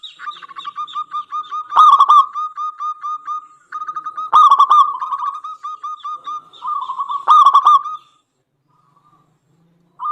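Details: Local zebra dove lure song for other doves: long unbroken runs of quick staccato coos punctuated by three loud rough bursts, then a quiet gap before the singing resumes.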